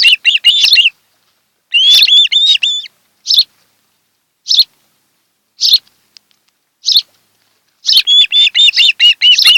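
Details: Osprey pair on their Kent Island, Maryland nest, recorded by a nest camera one July 2018 afternoon. Drawn-out, wavering whistled whines alternate with spaced single shrill chirps, ending in a quick excited chatter.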